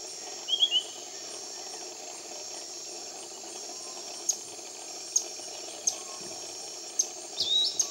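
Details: Piratic flycatcher in tropical rainforest near Iquitos, Peru: brief, high whistled notes near the start and end, with sharp ticking notes between, over a steady high insect drone.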